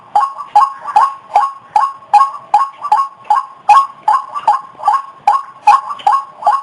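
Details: A White-breasted waterhen call used to lure the opposite sex: clipped, nasal mid-pitched notes repeated steadily about two and a half times per second, each beginning with a sharp click-like attack, in a clean, quiet background.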